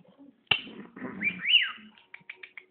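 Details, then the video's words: Pet bird indoors with a sharp snap-like click, a rough, noisy passage, then an arching high whistle sweeping up and down, followed by soft quick ticks. "bird whistling"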